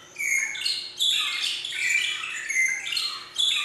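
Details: A magpie shrike (Urolestes melanoleucus) at Philadelphia Zoo sings clear, ringing whistles mixed with harsh, scratchy shriek-like notes in rapid overlapping bursts, with no other sounds noticeable.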